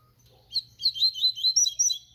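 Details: Papa-capim, the double-collared seedeater, in full song: a rapid string of high, sharp tweeted notes, roughly eight in a second and a half, crisp and loud over a quiet background.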